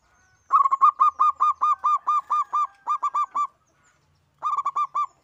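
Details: Single local zebra dove singing actively, used as a lure to prompt singing: a long run of about fourteen quick, even cooing notes, a pause of about a second, then a shorter burst of six notes.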